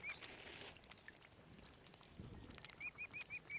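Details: A single high peep opens, then after a lull five evenly spaced arched whistles follow quickly from baby mute swan cygnets at Lough Neagh, Oxford Island Nature Reserve, Ireland, with faint rustling and clicks.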